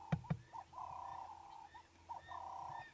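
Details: A perched ring-necked dove, calling at dawn on a morning safari drive on 19 August 2016, gives two mellow cooing phrases, each a short note then a long, level, slightly purring coo. Two sharp clicks open it over a low engine hum.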